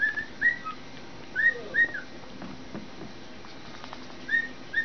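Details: A pet male cockatiel whistles to a foot, performing regardless of audience: short, clear whistled notes that slur upward, in brief repeated phrases.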